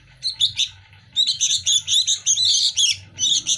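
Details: Sooty-headed bulbul chicks, hand-fed daily, jostle for food with rapid, overlapping high chattering begging calls in quick bursts over a faint low hum.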